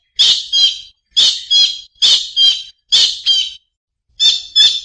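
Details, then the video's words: Collared kingfisher giving loud harsh squawking calls in paired notes, each pair about one second apart, rasping and strongly emphasised, with short silent gaps between pairs. "សំលេងសត្វកដបទ្រូងសCollared kingfisher"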